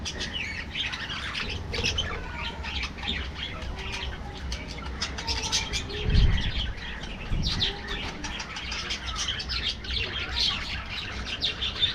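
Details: Caged budgerigars in an aviary colony give thin twitters and short chirps, with wing flapping and a couple of low thuds partway through.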